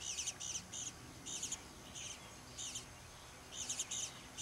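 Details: Young bluebirds in a back yard in Troy, Ohio, begging for food: bursts of very high, thin, raspy chips in short clusters, with pauses of about a second between groups.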